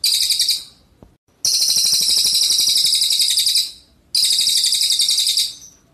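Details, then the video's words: Red siskin singing vigorously in rapid 'tembakan' bursts, a recording meant for tutoring white-rumped shamas and green leafbirds: dense, high, buzzy trills in long continuous runs of two to three seconds, separated by short silent pauses. "Cililin GACOR tembakan mewah FULL SPEED"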